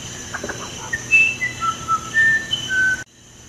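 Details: Musician wren, the true uirapuru, giving a phrase of soft chuckles followed by a run of pure whistled notes, some short and some drawn out, wandering between pitches, then a sudden stop, with a steady background hum.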